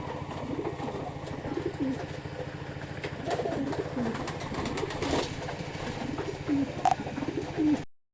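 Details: Pigeons from a pair in Trishal, ward 4, coo in rolling, rising-and-falling low phrases repeated every second or so. A steady engine-like drone and occasional knocks sit beneath, and a few brief higher notes appear near the end.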